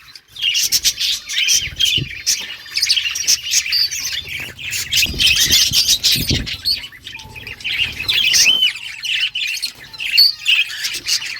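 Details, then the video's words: Caged budgerigar breeding colony: loud, harsh squawks mixed with quick chirps and warbles from many birds, a steady chattering chorus with some knocking noises. "Budgies breeding progress and chirping sounds"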